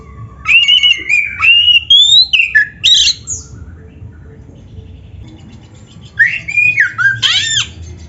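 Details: Oriental magpie-robin, song played to get caged birds singing: a long rising whistled phrase with slurred notes and harsh buzzy bits, a lull, then further swooping whistles near the end.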